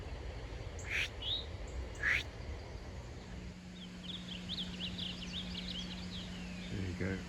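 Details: During spring migration near Hillsborough, North Carolina, a returning Blue Grosbeak gives a quick, rich warble of high, run-together notes lasting about two seconds, over a steady low hum and a few voices or knocks.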